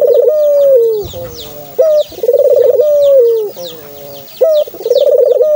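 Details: Low cooing from a dove, meant to coax another kept dove into sound: a rippling trill easing into a long falling note, then a soft lower murmur, repeated about every two seconds, with faint high bird chirps behind.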